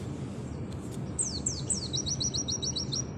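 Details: Oriental white-eye, Auri type, singing nembak sejalur style: three loud descending whistled slurs, then a fast even run of high sharp notes, over low background hum.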